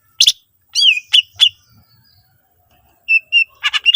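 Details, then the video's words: Sparse greater green leafbird phrases meant to set off other leafbirds: a few clear whistled slurs and sharp notes, a second of silence, then soft level whistles and a quick chatter. "cucak ijo gacor full isian mewah sangat ampuh pancing c ijo lain agar ikutan rajin bunyi"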